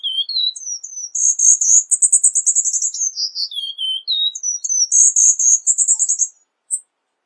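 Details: Singing Cuban bullfinch: a rising whistled intro, then a long pulsing, buzzy high trill, slurred descending whistles, and the whole phrase repeated before stopping.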